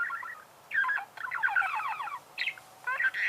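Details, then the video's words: Budgerigar song of fast chattering, squeaky warbled trills in bursts separated by brief pauses. "пение волнистых попугаев"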